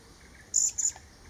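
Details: A Vernal hanging parrot in Khao Yai National Park, Thailand, during pairing and egg-laying, gives its 'forty, forty'-like call: two thin, very high, shrill notes a quarter-second apart, over faint hiss.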